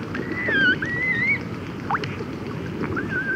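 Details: Close-up recording of Red-gartered Coot chicks and adults calling to each other: thin whistled notes that rise then drop, a brief upward sweep, over a constant low rushing noise.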